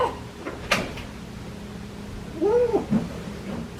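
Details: Seven-month-old male pet African grey parrot (Psittacus erithacus) playing with toys beside his cage gives a single smooth, arching mew-like note, rising then falling, with a sharp click and soft knock over a low hum.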